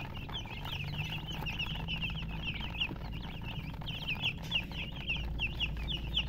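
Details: A flock of chicks gives shrill, bouncing chirps, some clear downward-sweeping peeps standing out from the crowd, over a low rumbling hum.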